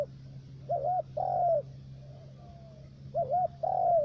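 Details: Spotted dove serving as a trapping decoy in the U Minh region of Cà Mau, Vietnam, with a three-note voice, repeats its phrase twice: a bouncing double note then a sustained falling coo, with a soft faint trailing note between and a steady hum.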